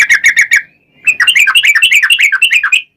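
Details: Yellow-vented bulbul, lure song to provoke singing: a short burst of five rapid chirping notes, a brief pause, then a fast tumbling chatter of bubbly, slurred whistles running together for almost two seconds.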